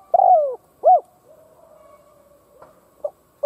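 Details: Decoy spotted dove kept to provoke other doves: a long, falling coo and a short rounded coo, a pause with faint low murmuring, then soft notes starting the next phrase.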